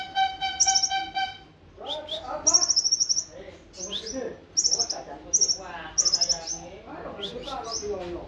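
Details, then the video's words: Olive-backed sunbird, called kolibri ninja, in nembak sejalur song: rapid high trilled bursts roughly every second. Lower chattering notes are mixed in, and a steady harmonic tone is heard at the start. "konin nembak sejalur"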